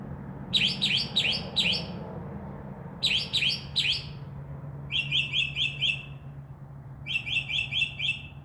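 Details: Northern mockingbird perched in a tree by a window from midnight, imitating crow and dove wing sounds; chirped phrases repeated in sets of three to five, each set changing note shape.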